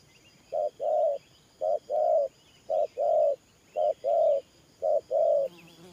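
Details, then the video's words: Spotted dove cooing in the 'thổ pha' coo style: a short low note followed by a longer, mellow drawn-out coo, the pair repeated about once a second, five times. Faint high chirps of other birds sound in the background. "Thổ Pha Nước Gù AE Tự Thẩm.Clip288_ Nết Gù coi sướng mắt"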